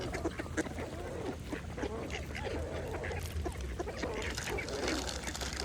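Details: Mallards feeding peacefully at a pond, producing constant rapid clicks and gurgling dabbling sounds mixed with quiet, nasal quacks.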